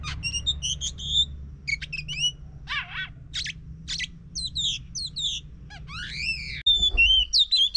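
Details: An Oriental magpie-robin song for prompting a quiet bird to sing: rapid mix of whistles, wavering warbles and buzzy descending notes in a busy string, ending with a clear whistle and a brief thump near the end.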